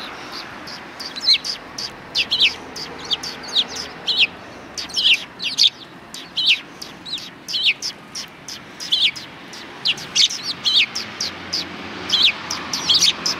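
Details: Steady stream of sharp, high chirps from many sparrows on a road near a Tenmangu shrine, 13 December 2019, notes falling in loose clusters of two or three across the whole stretch.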